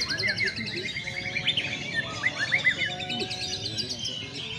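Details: White-rumped shama held in sunlight to open up its voice delivers a fast string of repeated, slurred whistles and chips at a steady quick pace, over a busy background of other bird chatter.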